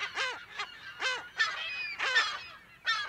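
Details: Close-range mono recording of California gulls in their colony: distinct loud squawks about every half second, each a harmonic cry bending downward, with fainter gull chatter behind.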